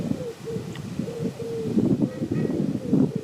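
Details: Canada geese on a pond in Midhurst, West Sussex, England, calling in short level honks, one after another, over a rumble of background noise.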